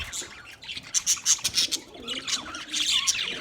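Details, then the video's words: Budgies chirping as company for a lonely bird: quick sharp chirps and squeaky whistled notes in rapid bursts, with a brief gap of softer chatter midway. "Budgies chirping sounds for lonely bird"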